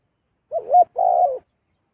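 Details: Wild zebra dove descending toward a decoy bird, giving one low coo phrase: a brief wavering rising note, then a longer buzzy, rolling hum that fades at the end, against silence.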